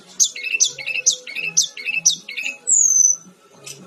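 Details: Brown-chested jungle flycatcher, Cyornis olivacea, in full song: a sharp high note repeated about every half second, each followed by lower chips, ending in a thin, very high drawn-out whistle.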